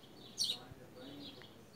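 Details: Wild creamy-bellied thrush eating fruit in a garden on an afternoon in September 2018, smartphone recording. A single loud, sharp chirp early on, then faint distant twittering and a soft hiss.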